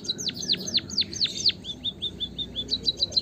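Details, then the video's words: White-headed munia (bondol haji) in a recording meant to stimulate birds to sing: six loud, high chirps sweeping sharply downward, then a run of softer short notes and quick repeated ticks. "suara kicauan burung emprit kaji gacor pancingan burung pipit emprit peking bondol hajimu biar gacor"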